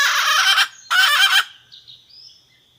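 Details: Red junglefowl hen calling to the rooster, a sound said to make wild junglefowl answer and approach: two loud, harsh, rasping bursts about half a second each, followed by faint thin whistles from other birds.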